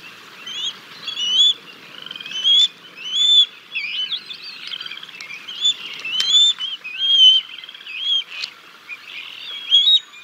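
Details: Bald eagles at the Decorah North nest on 6 May 2022, caught by a live nest camera as the male brings a fish and feeds the chicks. High squeaky whistled calls, rising and falling, come in bursts with short gaps.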